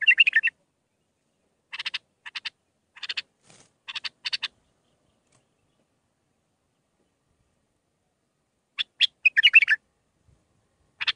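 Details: Bulbul song used to tutor young birds. Groups of dry, rapid clicks and brief chattering notes, broken by several seconds of silence before a warbled flourish returns.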